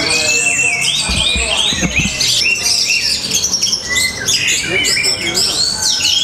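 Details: Orange-headed thrush, Tabanan, Bali, in rhythmic matrix-style song: repeated rising whistled arcs and sharp high chips, with a couple of brief dips in loudness, over a faint low rumble.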